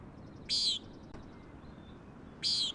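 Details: A Common Nighthawk gives two harsh, nasal buzzy peents about two seconds apart on a high-surf day, with waves crashing steadily against rock.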